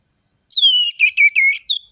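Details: Orange-headed thrush, a bright-voiced singer used as a tutor for young birds learning varied song; a loud clear whistle sliding down, then three rapid buzzy warbled notes and a short final whistle.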